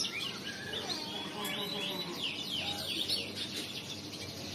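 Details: Riwikan-style song from a male crested canary: high, scratchy twittered notes and quick whistled slides, gathering into a denser warble midway, over steady background hiss.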